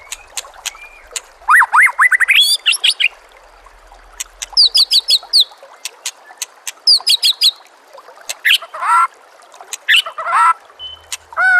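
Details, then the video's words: White-rumped shama song for training caged birds, set amid nature sounds and flowing water: bursts of quick looping whistles and sharp clicks, separated by short gaps, with rising slurred phrases throughout. "murai batu anda dengar suara MASTERAN burung seperti ini"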